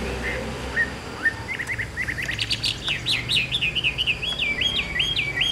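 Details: Caged Chinese hwamei with a yellow bill, kept for its song, delivering a rising series of whistled notes that builds into rapid, repeated looping phrases of clear whistles, with faint background hiss.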